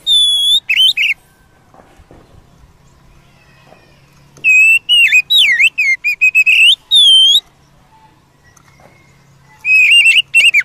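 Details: Oriental magpie-robin in the wild, song used to make a caged bird emotional: bursts of loud clear whistles and rapid slurred, dipping notes separated by long quiet gaps.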